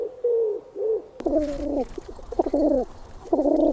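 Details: Pigeons giving deep, muffled, rolling coos, their group call, from a flock feeding with no danger nearby, used to attract other pigeons; low coos repeat in short bursts about once a second, with a sharp cut partway and faint background noise.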